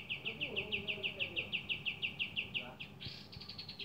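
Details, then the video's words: Kapas tembak, the Javan kingfisher, calling vigorously: a long steady series of sharp chirps about three per second, ending in a buzzy rattling burst, over faint low chatter. "Kapas tembak gacor dor"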